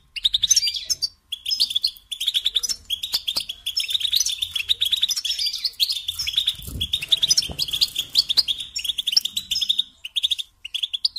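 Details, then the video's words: European goldfinch song meant for training young songbirds: a steady stream of high, jingling twitters and trills in rapid, dense phrases, with a faint low rumble in the middle. "Teaching Singing Lessons Through Goldfinch Motives"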